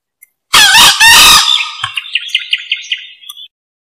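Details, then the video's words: Rare green junglefowl giving a hoarse two-part crow, the harsh rasping syllables followed by a fading series of about nine short, high chirping notes at a steady pace. The recording is meant for luring. "SUARA AYAM HUTAN HIJAU COCOK BUAT PIKAT BUNYI TERUS"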